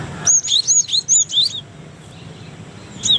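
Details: Cinereous tit song used as a master recording for training other birds, Indonesia: a quick series of bright whistled two-part notes over about 1.3 seconds, then a pause and another whistled pair, faint background hiss.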